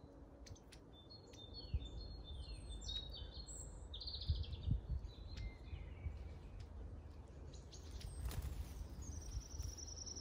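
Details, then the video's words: Long-tailed tit calls recorded in Grunewald on 20 March 2021: a scatter of high, thin notes and buzzy short bursts early on, then a sustained high note near the end, over steady low-frequency rumble. "Aegithalos caudatus in Grunewald"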